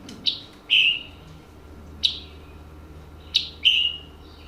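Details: Scarlet Tanager, a West Virginia forest bird, giving its distinctive two-part chip-burr call three times: a sharp high chip then a hoarse, slightly falling burr, about every one to two seconds.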